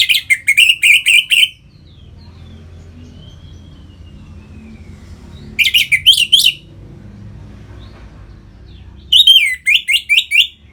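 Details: Orange-headed thrush ngeplong song, meant to push captive birds into breeding condition: three separate bursts of fast, loud chattering and slurred whistled notes, about four per second, with long quiet gaps and low hum between.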